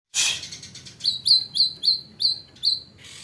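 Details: A white-rumped shama mimics a hanging parrot. After a loud harsh burst, it gives six short, sharp, high notes that each slide slightly downward, repeated at a quick, steady pace.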